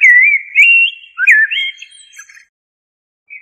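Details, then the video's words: A common blackbird delivers one mellow, looping whistled phrase that breaks into softer chattering twitters and fades out. A brief isolated note follows after a pause, with no other sounds heard. "تغريد طائر الشحرور جحمومية الزرياب Turdus merula"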